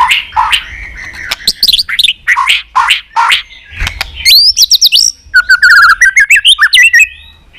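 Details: White-rumped shama song, used to rouse listless pet shamas, full of continuous tack notes: harsh buzzy bursts, then bright rising whistles and rapid repeated sweeping notes, loud and varied.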